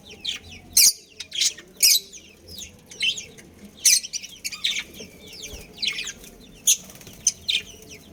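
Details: Budgerigars, a breeding pair with their family, chirp in short, bright, high bursts spaced about a second apart. Fainter chatter fills the gaps and there is a faint low hum.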